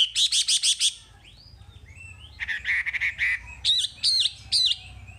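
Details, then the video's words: Wambi song from a masteran recording: a fast stutter of high notes, a buzzy trilled phrase, then three looping whistled chirps. "Masteran Wambi paling istimewa full materi"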